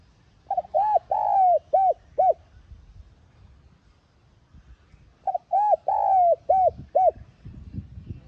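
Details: Spotted dove coo played to make a decoy bird start calling. Two full phrases separated by a pause, each with short lead-in notes, a long sustained coo and two short closing hoots, with quiet low background rumble.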